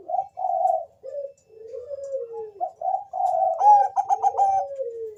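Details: Bangkok-type zebra dove used as a lure to get other doves singing; a continuous run of mellow cooing notes, falling slurs and a quick vibrating trill near the end, with faint low knocks behind.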